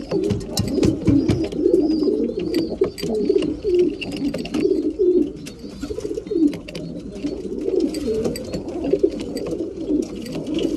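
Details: Breeding pigeons at mealtime, several birds cooing together in a dense low rolling chorus, with frequent sharp clicks and wing or feeder clatter throughout.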